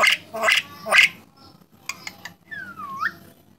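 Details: Starling that talks and won a contest: three rough voice-like bursts, a few soft clicks, then a long whistle that slides downward before turning up.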